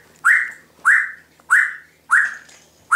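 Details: Timneh African grey parrot kept indoors at home, mimicking household sounds: four loud, sharp whistled notes, each quickly rising then trailing downward, repeated about every 0.6 seconds in a steady series.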